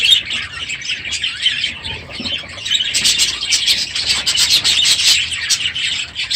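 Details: Morning din from a crowded budgerigar aviary after the breeding season: softer warbling at first, then rising into busier chatter with sharp clicks and chirps.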